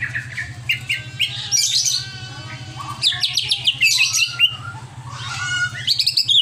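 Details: Greater green leafbird, over-agitated, mixes short whistles with harsh rattling bursts and chattering notes in repeated spells, over a steady low electrical hum.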